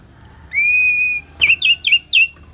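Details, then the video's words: Ngeplong song of the orange-headed thrush with rain in the background: a drawn-out, flat, clear whistle lasting under a second, then four short, loud, swooping chirps in quick succession. "Terapi ANIS MERAH Ngeplong"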